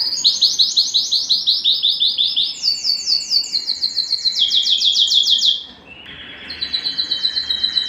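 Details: Canary singing to stimulate mating: loud rhythmic series of falling slurred notes in several tours stepping in pitch, then a softer lower roll.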